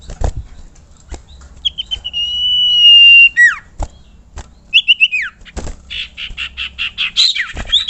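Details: Common iora, called sirtu or cipoh, used as tutor song: a long level whistle, a sharp downward slur, quick doubled chirps, then a buzzy rattled phrase, with clicking sounds between the notes.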